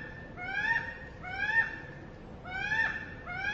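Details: Brown goshawk (Accipiter fasciatus) feeding on prey while mobbed by other birds: drawn-out, rising-then-falling whining squeals rich in overtones, four about a second apart, over low background rumble.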